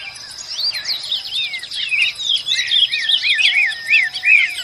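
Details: Female ultramarine grosbeak singing a fast, varied warble of sweeping whistled notes, rising and falling slurs packed closely together over about four seconds, with a steady high hiss in the background.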